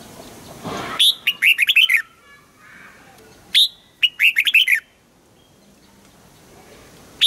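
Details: Red-whiskered bulbul singing in the morning, trained to sing a double-note wild-style song: two bursts of rapid, bright whistled notes with sharp upward-sweeping onsets, each phrase about a second long, separated by quiet pauses; clean recording with little background.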